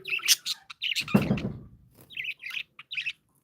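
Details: Pet budgerigars chirping happily indoors: short buzzy warbled notes and clicks in scattered bursts, with a brief low rustling thump midway.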